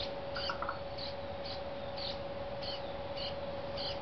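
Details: Brown-headed Cowbird juvenile fed by a Dark-eyed Junco; spaced high squeaky chips about every half second, with a brief cluster of lower notes early on, all over a steady hum.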